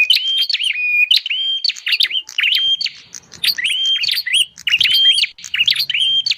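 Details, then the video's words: Bar-winged prinia calls played as a lure for wild birds: chattering sequences of piercing whistled slurs interlaced with sharp clicking ticks, with steady, insistent delivery and brief gaps between phrases. "Suara pikat burung prenjak"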